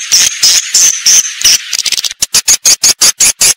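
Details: Swiftlet call used to lure birds to nest in a house: longer high chirps at first, then short sharp clicks repeated steadily about every fifth of a second.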